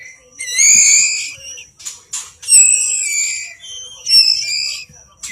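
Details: Oriental magpie-robin nestling screaming for food during feeding, drawn-out harsh high calls with falling tails, three main bursts separated by brief quieter rustling.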